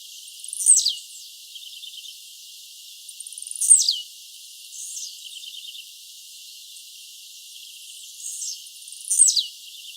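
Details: Blue-black grassquit singing in the wild: short, high buzzy phrases that sweep downward, repeated roughly every three seconds, with faint softer twitters between them. The lower sounds have been filtered away.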